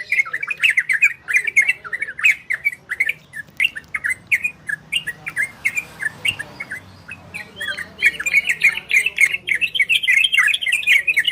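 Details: Orange-spotted bulbul, ropel and garudo style, used to bring listening birds into breeding condition: fast rolling warbled phrases, a brief quieter stretch midway, then a dense energetic burst, with sharp clicks throughout.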